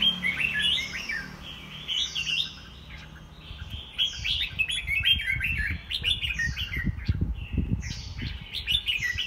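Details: White-rumped shamas competing in a home singing contest, caged: a busy stream of varied whistles, slurred notes and chattering phrases, with thumping and rustling noises underneath.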